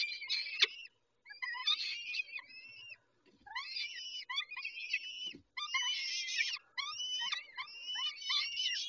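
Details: Peregrine falcons heard during a feeding at Dobra, 11:48, 19 May 2021: a rapid series of screechy, harmonic wails with rising starts, broken by brief pauses and occasional soft knocks.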